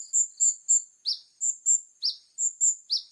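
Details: Plain-throated sunbird (kolibri ninja) in lively 'full tembakan' song with a clear voice. Very high chirps fall in a repeated three-note pattern: two bright short notes, then a lower downward-swooping note, about one phrase per second.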